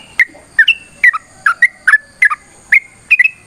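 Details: Yellow-vented bulbul giving a long, lively fighting song meant to provoke other birds into answering: short bubbly liquid notes, often paired, repeated about twice a second, with a faint steady high whine behind.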